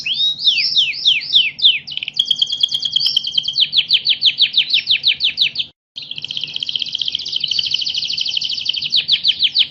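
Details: National champion canary singing rapid downslurred notes, then a long even rolling trill, a short pause, and another extended buzzy trill of closely packed pulses.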